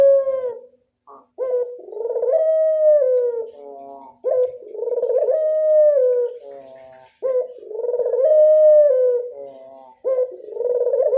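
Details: Local Barbary dove giving its classic-style cooing: drawn-out, mellow harmonic coos with a trilled rolling middle, each phrase about three seconds, repeated steadily with short pauses between.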